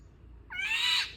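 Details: Brief harsh, mewing squawk of an Indian golden oriole, rising then rough and buzzy, lasting about half a second.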